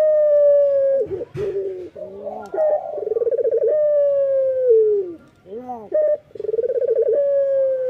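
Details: Morning song of a male local Barbary dove: long, smooth, falling coo tones alternate with rapid pulsed rolls and short upswept notes. A brief knock or rustle is heard near the start.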